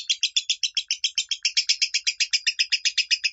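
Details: Training tutor of lovebird minor song: a dense, even series of shrill, scratchy chirps, around four per second, rattling on steadily throughout with no pauses.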